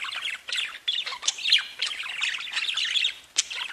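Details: A group of budgerigars keeps up a lively, tangled warble of fast chirps, clicks and squeaky whistles without any real break.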